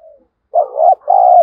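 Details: Lure spotted dove in thổ voice calling to provoke fighting: one faint coo, then a loud low wavering coo and a longer steady coo, mellow and resonant.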